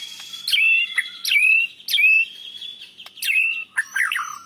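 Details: White-rumped shama, a national champion songbird, singing with rich mimicked fill-ins of other birds (cililin, canary, lovebird), used to tutor birds: clear sliding whistles in short phrases, each opened by a sharp click, ending in a rapid warbled twitter.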